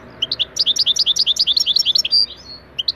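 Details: European goldfinch song recording used as a singing lesson for training, in the Turkish style called taneli çipet bol cibili; a quick run of bright, high chirping notes, roughly eight per second for two seconds, then a pause and two final notes.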